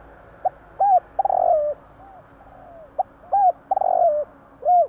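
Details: Spotted dove calling at night in Java, giving low hoarse coos with short notes and a longer rolling coo, the phrase repeated after about two seconds; faint low hum behind.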